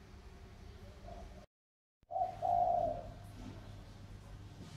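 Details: A wild-caught spotted dove of Sóc Trăng stock, tamed for two years and now an eager decoy caller, gives a low, hollow coo, then a short burst of soft mellow notes after a brief silence, over a steady low hum.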